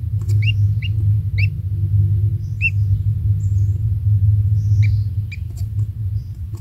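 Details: Kingfisher chick, a single young bird still small in its nest, being fed insects by its parent: short sharp chirps repeated irregularly, several in the first second and a few more later, over a constant low rumble.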